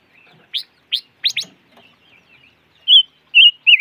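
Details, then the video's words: Five-coloured bird, locally chim ngũ sắc, calling: four quick, sharp chips, including a close pair, then soft faint notes and three loud, quavering high whistles at the close. "Suab noog rheeb quaj chim ngũ sắc"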